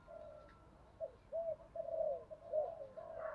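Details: Spotted dove cooing, played as a decoy to provoke a rival, at a distance: a run of five or six soft, even coos over low background hiss, with a brief brighter sound near the end.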